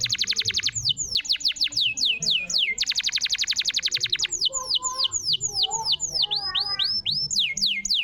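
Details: Lively canary song meant to prompt a silent canary to sing again: rapid high trills alternate with strings of falling whistled notes and varied warbles, with a faint low rumble beneath.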